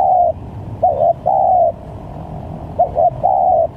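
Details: Lure recording of a spotted dove for trapping, with varied calls: the tail of one long coo, then two phrases of paired short notes followed by a sustained, slightly falling coo.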